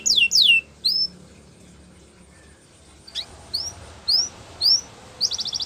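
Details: Canary song offered as a training recording for canaries: two quick downslurred whistles, then a pause of about two seconds, then a run of rising chips and a brief buzzy trill at the end.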